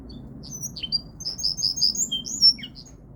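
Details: Linnet × Canary hybrid (mule) singing: quick high, thin twittering notes and short sweeping whistles, packed into a brisk run in the middle of the phrase, over a faint low background hum.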